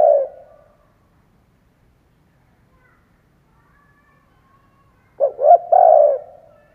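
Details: Spotted dove used as a decoy to stimulate other doves. The fading end of one coo is followed by a long silence, then one full phrase of quick stuttered notes and a drawn-out mellow coo.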